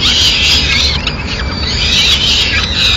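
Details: Peregrine falcon family in Madrid on 29 April 2016, the mother delivering food to the chicks; an unbroken, harsh, grating scream that wavers in pitch throughout.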